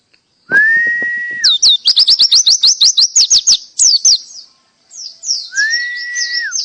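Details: Canary singing pleci-style full tembakan song. A long, steady whistled note opens into a fast run of high, sharp rising chips, repeated about three per second. A brief pause follows, then another level whistle comes under bright high trills.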